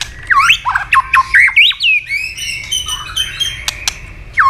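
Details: White-rumped shama singing a fast fighting song while flicking its tail, stirred to sing: rich swooping whistles and warbled notes in a rapid string, then quieter high trills and clicks, one final loud whistle.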